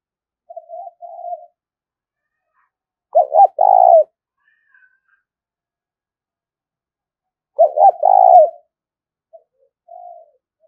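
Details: Repeated spotted dove coos, a lure call for trapping: soft single coos, then two loud three-part phrases about four seconds apart, each a quick doubled note followed by a longer rough coo.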